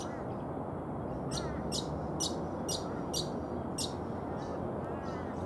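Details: Brown honeyeater (Lichmera indistincta) giving a quick series of six sharp, high, slightly buzzy notes, roughly two per second, followed by two fainter notes, with constant low rumbling noise behind.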